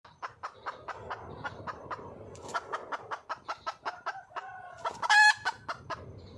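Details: Wild red junglefowl hen calling for a male: rapid series of short, sharp clucks repeated several times a second, with a louder harsh squawk near the end and a brief tonal note.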